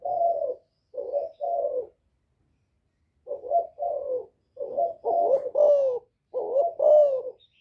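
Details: Spotted dove, "giọng thổ" voice, calling to provoke rival males: three short coos, a pause, then a longer cooing phrase rising in strength with falling slurred notes; faint high chirps behind.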